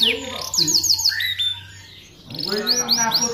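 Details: Canary singing as a tutor bird for other canaries: short series of quick high notes, a brief near-silent gap, then renewed rising chirps and trills, with low murmuring in the background.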